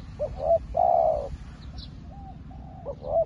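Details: A new decoy spotted dove calls wild doves like an old hand. It gives loud, close coos: a stuttered double note, a long rolling coo, then softer notes and another stuttered coo, over a low background hum.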